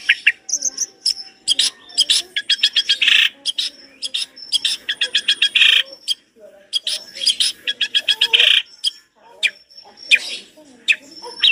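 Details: Long-tailed shrike (cendet) tutor recording with a varied, lavish repertoire: fast rattling trills, clipped chips and squeaky whistles in quick bursts, interrupted by short pauses, over a faint low murmur.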